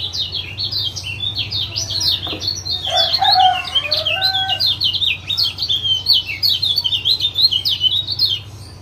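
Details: Lombok lemon-bellied white-eye male calling ciak ciak to spur a quiet caged male: rapid high twittering chatter, with a few lower, slurred whistled notes in the middle and a low hum beneath.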